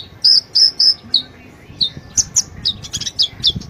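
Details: Sunbird lure song for a bird that will not sing: three strong shrill notes, then scattered downward-slurred tweets and a fast, thinner twittering sequence.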